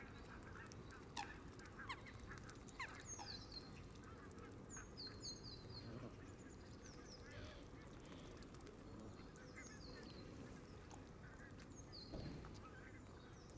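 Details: Canada geese surround a camera on green grass by the water as the flock feeds: irregular short honks scattered through a steady rumble, with many high, falling chirps of other birds.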